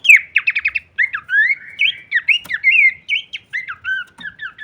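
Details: Horsfield's babbler in varied song as masteran audio: a brisk rattle of repeated notes opens, then a flowing run of rising and falling whistles with one sharp click midway.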